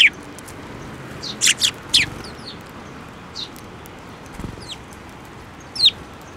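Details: Sparrows at a Tenmangu shrine in Japan coming to a hand to be fed, 7 May 2024; a quick run of three sharp high chirps, then scattered single faint chirps against a quiet hiss.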